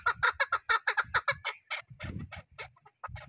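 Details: Chukar partridge with a run of evenly spaced sharp clucks that loosen into slower, rougher notes, over low rumbling handling or wind noise.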